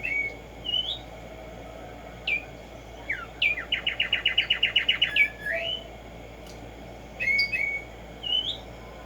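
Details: Black-striped sparrow song in nature, used to stimulate singing: scattered whistled slurs, then an accelerating run of about fifteen rapid chips, then more whistled rising and falling notes.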